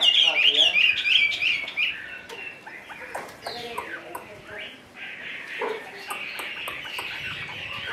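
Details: Caged Chinese hwamei carried in its cage, singing a loud, rich run of rapid whistled and slurred notes for two seconds, then continuing more softly with scattered varied phrases and clicks.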